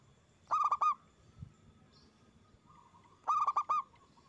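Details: Local zebra dove (perkutut) singing loudly, used as a lure for other doves: two phrases of four or five fast, bubbling coos nearly three seconds apart, a faint click and low hum in between.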